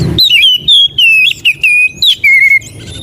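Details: Magpie robin (kacer) song for prompting and tutoring caged birds: a chain of sweet, sustained whistles, each slurring downward, six or seven in quick succession.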